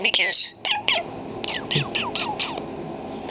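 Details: Pet common starling mimicking human speech indoors: a run of quick whistled sweeps and sharp clicks, short downward-slurred notes repeated in a loose chatter, with a person's voice talking to the bird nearby.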